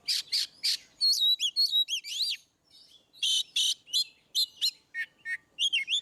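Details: Oriental magpie-robin singing in the ngeplong style, used as training song to prompt quiet birds: loud buzzy bursts, then a run of clear rising and falling whistled slurs, a brief pause, and more harsh notes mixed with sharp upswept whistles.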